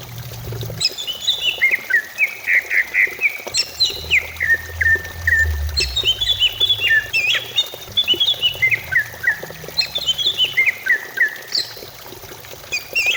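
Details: Greater green leafbird lure song meant to make birds sing fast. Long varied phrases repeat every few seconds, each starting high and cascading down through twittering, slurred whistles, with a soft low rumble underneath.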